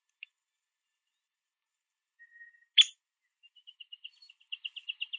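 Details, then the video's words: Male Downy Woodpecker at a backyard platform feeder eating sunflower seeds, giving quiet chirps: a single sharp loud note, then a rapid accelerating series of short high chirps; otherwise silent. "A Downy Woodpecker Male Chirping Sound"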